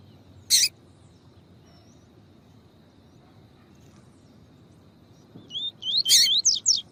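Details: Coleiro tui-tui (double-collared seedeater) song with a female calling, used to warm up and stimulate a male: one sharp, harsh chip early, a long quiet gap, then a quick run of high, rising whistled notes at the end over faint background hiss.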